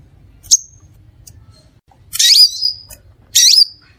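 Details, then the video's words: Crimson sunbird (Aethopyga siparaja) used as a lure for its own kind: one sharp high tsip followed by two longer rasping, buzzy downslurred bursts, with a steady faint low hum beneath. "SUARA PIKAT DAN PANCINGAN BURUNG SEPAH RAJA"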